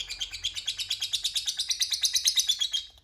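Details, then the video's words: Lovebird giving ngekek, a lure sound meant to set off rival lovebirds calling back. Brief burst of quick, regular, high-pitched chattering pulses, steadily building in loudness before cutting off abruptly. "Pancingan Lovebird Paling DiSUKAI Lawan AUTO Nyaut Ngekek Bersahutan, Burung Lovebird Ngekek Panjang"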